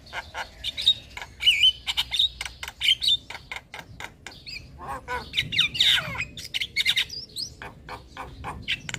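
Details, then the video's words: Javan myna in a lure and master song for training young birds, full of varied fill notes: rapid harsh squawks, dry clicks and short whistled notes mixed in quick succession, with brief pauses between bursts. "Pancingan Dan Masteran Jalak Kebo Full isian Pas Buat Jalak Kebo Muda"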